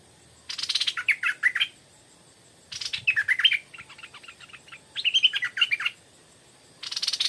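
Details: Stripe-throated bulbul song in the evening from a decoy bird set out to attract wild ones: short phrases opening with a harsh rattle and ending in jumbled liquid chirps, repeated about every two seconds.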